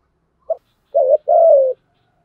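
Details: Single call phrase from a spotted dove decoy bird, used to provoke fighting. A brief clipped note is followed by two longer, mellow, hoarse coos, the last gently falling.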